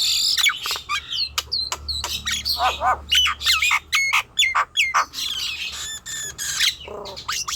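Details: Nias hill myna song played to coax young, untrained or reluctant mynas into singing: loud rapid mix of harsh squawks, sharp upslurred and downslurred whistles and clicks, tightly packed, with brief pauses and low background hum.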